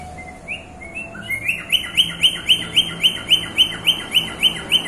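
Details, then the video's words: Bird singing: a few soft rising chirps, then a fast, steady series of bright, sharp upslurred notes, about four per second, over faint low background hum. "falk bird singing"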